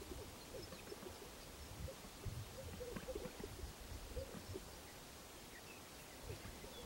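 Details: Greater sage-grouse males displaying on a lek of about 30 strutting males, Upper Lemhi Valley, Idaho, 13 May 2011, around 5:30 am: soft low hollow pops and gulping coos every second or two over a low background rumble.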